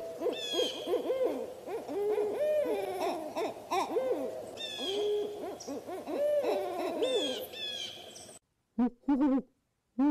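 Several owls hoot over one another in quick, wavering, slightly rising notes for eight seconds, then a brief pause and a few more hoots.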